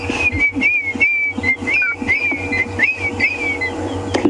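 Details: African grey hornbill calling on a sunrise safari drive on January 7, 2016: a plaintive, sad-sounding series of high, wavering whistles, about two or three a second, over a low engine hum.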